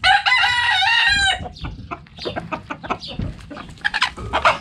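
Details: Rooster in a backyard chicken coop gives a loud, ringing harmonic crow just over a second long, followed by rapid, irregular clucking from the hens.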